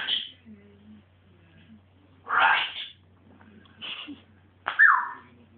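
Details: Pet African grey parrot going a bit mental at home: short harsh squawks, one at the start, a louder burst near the middle and a sharp rising-then-falling shriek at the end, with quiet gaps between and a low steady hum underneath.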